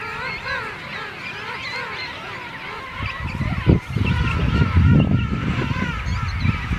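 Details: Many king penguins calling together in a breeding rookery at St Andrews Bay, South Georgia Island. Overlapping warbling, trumpeting calls fill the air, and a heavy low rumble like wind joins from the middle onward.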